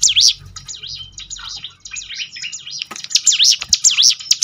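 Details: For training birds to sing more often, a bar-winged prinia gives sharp, high looping chirps: loud notes at the start, a quieter muddled stretch of twitters, then a strong rapid series of V-shaped notes.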